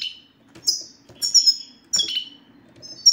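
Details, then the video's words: European goldfinch in sititah (bitbitah) style, used to prompt silent males into song: high, metallic twittering notes and quick downward sweeps in three clustered bursts, with a faint steady hum in the background. "ستستة الحسون سوف تجعل الحسون ينطق رغم عنه"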